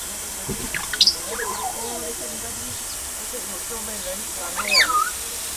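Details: Grey parrots in a park enclosure, sprayed with water while a keeper waters the plants on a mild 9 July 2022. They enjoy the shower. Harsh harmonic squawks and a rising-then-falling whistle sound over the constant hiss of spraying water.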